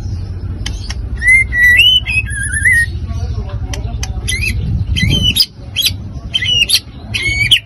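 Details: White-rumped shama song used to provoke and excite other birds: wavering whistled phrases that slide up and down, broken by sharp clicks and short varied notes, with a low background rumble.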